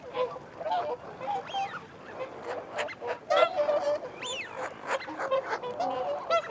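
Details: Whooper swans give feeding and territorial calls with wigeon and mute swans present. A chorus of nasal honks is broken by two clear whistles that arch up and drop again.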